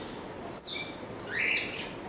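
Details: Pet African grey parrot producing a piercing, level high whistle lasting about a quarter second, then a softer, lower rising note after a short pause, in a quiet room.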